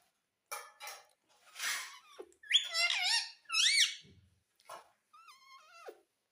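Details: Talking pet parrot in a small room, known for saying "mummy": scattered breathy squeaks, then two loud, warbling, harmonic syllables in quick succession, ending with a quieter wavering squeak and a few faint clicks.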